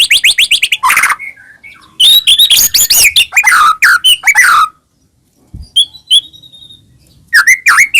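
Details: Loud white-rumped shama song meant to provoke caged birds into singing: quick repeated rising notes, dense chattering whistled phrases, a silent gap, then a few sharp sweeping notes.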